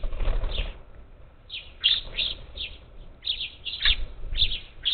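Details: Up to ten parakeets at a feeder on the outskirts of Houston, Texas, on 27 July 2021 give short, harsh chirping calls in quick clusters, with low thumps and wing flutters underneath.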